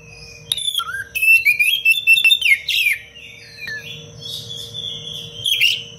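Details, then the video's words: Oriental magpie-robin in dense song meant for training other birds: a quick volley of sharp clicks and whistles, a rising whistled slur, then softer scratchy warbling, with a low steady hum throughout. "Kacer gacor cengkok rapat pedas untuk masteran"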